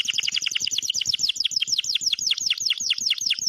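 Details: Canary singing cheerfully, a dense fast stream of downslurred chirps and trills repeated many times per second, with faint low thumping underneath.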